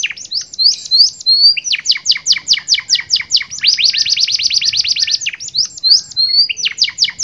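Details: Canary song of the 'cengkok super mewah' type with glatik batu fill-ins: a rhythmic series of steep falling notes leading into a prolonged fast buzzy trill, then more repeated downslurs, strong and uninterrupted.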